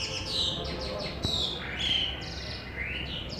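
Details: Asian pied starling (pied myna) from Pakistan in full song, a rapid run of descending whistled slurs and harsh broadband notes, then clearer whistles rising and falling, with constant low background noise.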